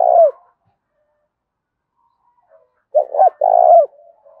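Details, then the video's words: Spotted dove giving a fierce territorial contest call in the thổ pha đồng voice style, meant to draw wild birds in quickly: one low cooing note, a pause, then a three-part phrase of short hooted coos ending in a longer drawn coo. "Tiếng chim cu gáy thúc Đấu cực gắt giọng thổ pha đồng bổi nghe nhanh về"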